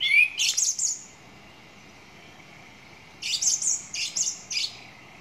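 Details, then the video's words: Song thrush delivering a high, scratchy, chattering phrase, then after a silent gap repeating it almost identically, twice over in quick bursts. "Song Thrush 2"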